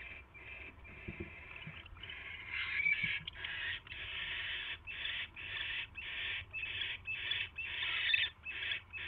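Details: Barn owl at its nest late on 22 January 2016, 10:22 PM, as a mouse is brought in: rasping, hissing bursts, uneven at first, then settling into a steady run of about fourteen over low background hum.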